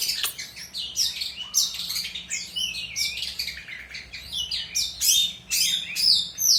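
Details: Long-tailed shrike singing vigorously, intended as a tutor for other songbirds: a dense, continuous stream of loud, high, varied warbles, squeaks and rapid chatters with hardly a pause.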